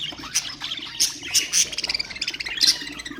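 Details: Budgerigars singing to stimulate other birds: a busy stream of bright, buzzy chirps and twittering notes, with loud sharp squeaks near the start, middle and end.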